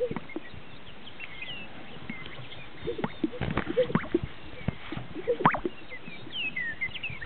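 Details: Greater sage-grouse displaying at a lek in northern Utah: soft swishes and hollow popping plops come in irregular bursts from several birds, loudest around the middle and near the end, over faint background chatter and light rustling.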